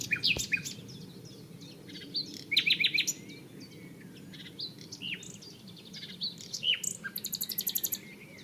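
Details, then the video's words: Common nightingale singing close up at Barcombe, Sussex, recorded on 30 April: varied phrases of sharp whistles, chuckles and rapid repeated notes, ending in a fast rattling series, over a steady background hum. "Singing Nightingale, Barcombe, Sussex"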